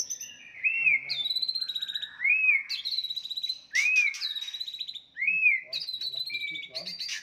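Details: White-rumped shama fighting song meant to provoke rivals; arched whistles repeated every one and a half seconds, each followed by buzzy rattling notes, with harsh clicks between.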